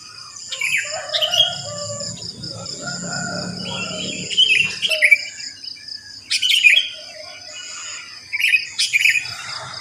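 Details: Sooty-headed bulbul song after dawn in a housing area full of these birds; short chirpy, rising and falling phrases repeated every second or two, with a low rumble early on and constant shrill insect buzzing.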